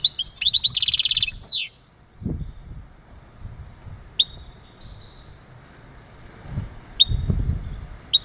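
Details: European goldfinch male calling to stimulate a female for mating: an opening buzzy trill with twitters and a sweeping downslur, then a few sparse sharp chip notes over low background rumble.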